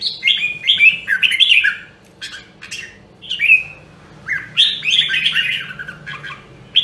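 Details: Voice training by a rare Nam Dong, Hue red-whiskered bulbul: a string of short, downslurred whistled chirps, repeated in small clusters with gaps, ending in a denser warbled burst.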